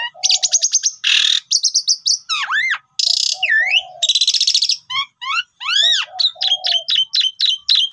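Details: Singing pied myna with a long, varied full-isian song, used as a lure for birds that have stopped singing: rapid high chatter, harsh buzzes, arched whistled slurs, low hums, and strings of short rising notes.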